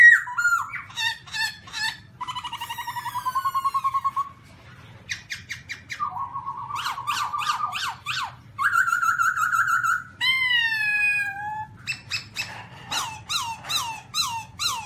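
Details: A Black-throated laughingthrush sings on a rocky mountain in 2016: a loud, varied song of rich whistled phrases with slurred falling notes, fast rattling trills and rising squeaks, changing every second or two over a faint low hum.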